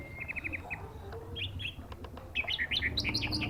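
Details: Orange-headed thrush singing at a contest ring: a fast run of short chirps, then looping whistled phrases that rise and fall, over a steady low rumble of background noise.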